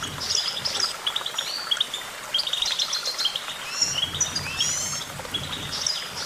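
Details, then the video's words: Goldfinch singing a fast, liquid twittering of high chirps and short trilled runs, delivered almost without pause, with brief bright slurred phrases standing out against soft low background noise. "Vocal virtuoso: activating enhancing your goldfinch songbird prowess"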